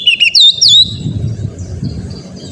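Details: Oriental magpie-robin song used to train a kept bird to sing: a brief loud run of three or four sliding whistles, then low background rumble.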